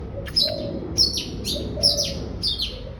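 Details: Oriental magpie-robin singing: short bursts of high, scratchy chirped phrases about every half second, with a soft low cooing, like a dove, behind and a steady low hum.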